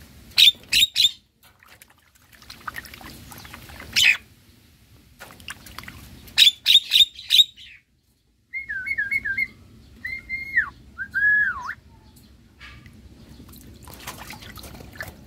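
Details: Caged semi white-eyed Javan myna in full song during a bath: clusters of sharp, rasping chatter notes alternate with a series of clear whistled wavering notes that rise and dip, against a low background hum.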